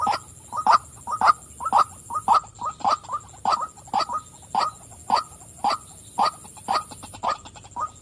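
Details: Female white-breasted waterhen croaking 'wak' over and over, almost two notes a second, some paired close together, above a constant high whine.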